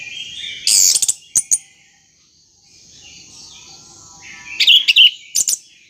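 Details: Caged orange-headed thrush, played to make a stalled bird start singing: a harsh loud burst and a couple of sharp chips, a soft pause of faint warbling, then a cluster of loud whistled and chattering notes.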